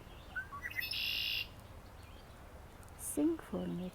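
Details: A mostly black bird with brownish-yellow on the wing, singing by the Redow river in Canada, gives a few quick rising chirps then a sustained, high, buzzy note, followed by a person speaking softly.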